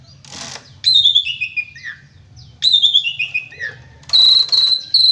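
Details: Two downward-sliding whistled phrases from an Asian pied starling, each breaking into shorter notes, then a run of loud, level high whistles. The bird sings actively, packed with shot notes.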